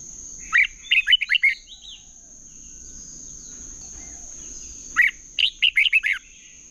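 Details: Red-whiskered bulbul giving competitive song for training other birds: two rapid bursts of five or six bright, warbled whistles about four seconds apart, with a constant thin high tone in the background.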